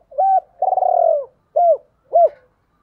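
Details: Spotted dove, a decoy bird calling to attract females: a short hooked coo, a long buzzy trembling coo, then two short arched coos, clear and close with no other sounds.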